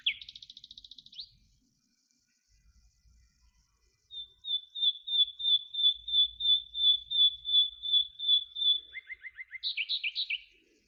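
Common Nightingale whistle song: a brief high buzzy trill, then a long series of about fourteen pure, swelling whistles, ending in rapid lower notes and a sharp flourish.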